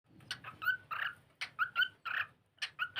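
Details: Pet cockatiel singing and playing indoors: short bright chirps and whistled notes in quick bursts of two or three, separated by brief pauses.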